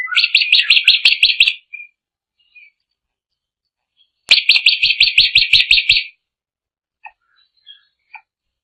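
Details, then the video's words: Drongo singing at length: two bursts of rapid, bright, stuttering notes, each about one and a half seconds long, separated by quiet, with a few faint isolated chips afterwards. "Suara asli burung Srigunting gacor panjang"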